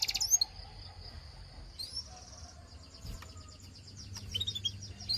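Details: Belgian canary singing: a burst of bright high chirps opens into a long, steady, high whistled tone that gradually fades, then quick sharp twittering notes return near the end over a faint low background rumble.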